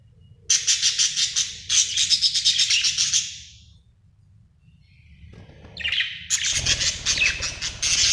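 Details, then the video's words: Chirping of a happy budgie, given as quick trains of rapid, high, buzzy notes, a silent gap of about two seconds, then another run of fast chattering chirps. "Happy budgie chirping sound"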